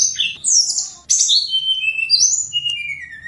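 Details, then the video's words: Snowy-browed flycatcher song from Gunung Songgo Langit. It opens with a sharp descending high whistle, then continues with thin sliding notes that step downward and end on a long falling whistle. "KICAU TLEDEKAN GUNUNG SONGGO LANGIT"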